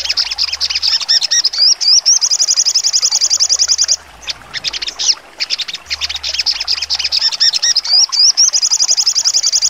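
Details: Sogon bird singing sharp 'trotol' phrases as training song for contest birds: long rapid high trills, each introduced by looping whistled slurs, separated by a brief pause and bursts of crisp chirping.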